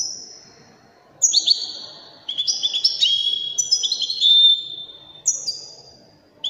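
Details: A Widani European goldfinch sings bright, drawn-out whistled tones, each phrase stepping down through several pitches. Bursts of about a second alternate with short silences against a quiet background.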